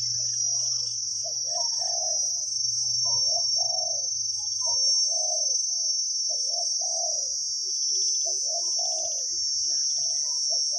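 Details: Deep-toned wild spotted dove during a decoy session: clear low coos come in steady phrased series, some notes stepping higher, with a shrill insect drone high above and a low hum in the first half.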